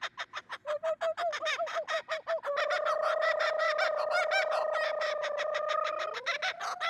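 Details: A female laughing kookaburra at a zoo, in the morning, gives her territorial call: quick, bouncing chuckles that run into a loud, rolling, raucous laugh, then end on a rising note.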